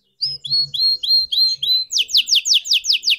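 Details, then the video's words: Young red canary learning to sing: a series of upslurred whistled notes about every quarter second, then a faster run of high, sweeping downslurred notes. "Kenari Merah Merona Belajar Gacor Berkicau"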